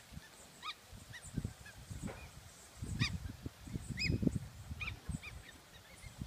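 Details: West Indian whistling ducks eating bread at Galley Bay, Antigua, give short, shrill whistled notes, scattered unevenly about once a second, over low thumping and rumbling noise.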